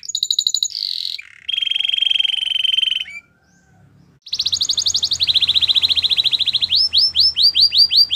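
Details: A Belgian canary in song opens with bright high notes and drops into a long, even, buzzy roll. After a brief gap with faint low hum it resumes with a rapid pulsing trill and ends on looping upward slurs.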